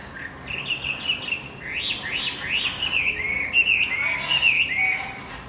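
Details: Male Javan white-eye singing a lure song for a male that stopped singing. Dense, high chirps and slurred whistles run together in a lively, unbroken warble.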